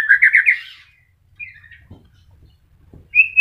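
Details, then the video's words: White-rumped shama in moult, a kept bird still singing: a short burst of rapid rolling notes, a soft brief whistle, near-silence with faint low rumble, then one sharp high whistle at the end. "MURAI MABUNG TETEP GACOR"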